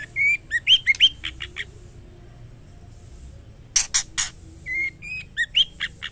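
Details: Female white-rumped shama calling to the male, giving rising whistles and quick chirps, a pause, three loud broadband bursts, then another phrase of whistles and chirps.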